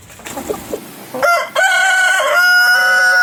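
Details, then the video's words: Soft low clucking gives way to a rooster's crow that swells and then holds a long, steady, strongly harmonic note through to the end. "Rooster Crowing - Rooster Sound Effect - Gà Gáy - Gà Trống - Tiếng Gà Gáy - Con Gà Gáy"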